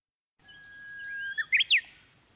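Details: Japanese bush warbler singing after rain on 19 May 2020: a long, steady whistled note that rises in pitch, followed by a loud, quick, slurred two-part flourish. Faint background hiss.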